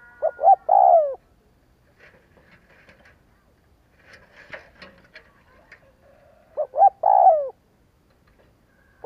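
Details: Spotted dove coo phrases played to provoke doves into calling: a stuttered run of short notes into a long falling coo, faint rustling and clicks in the gap, then the same phrase repeated about six seconds later.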